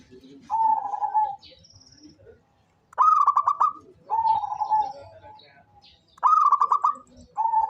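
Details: Local zebra dove, a steady and frequent caller kept for use as a lure: three phrases about every three seconds, each a quick stuttering burst of clipped coos leading into a smooth, held lower note.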